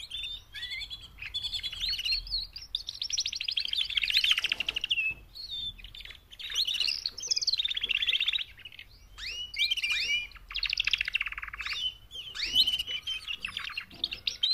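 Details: Mating calls of four female canaries, played to push males to sing louder: long stretches of fast buzzy trills and curved chirps in repeated phrases with short pauses.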